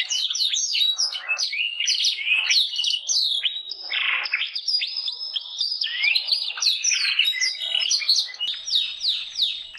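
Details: Energetic canary singing: tumbling runs of short bright notes, some buzzy stretches and rising whistles, flowing without a gap for nearly ten seconds.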